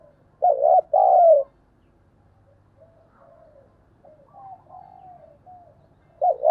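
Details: Cooing of a decoy spotted dove in the thúc bổi style: a rough paired note, then a drawn-out descending coo. Several faint, soft intermediate coos follow, and the next phrase starts at the very end.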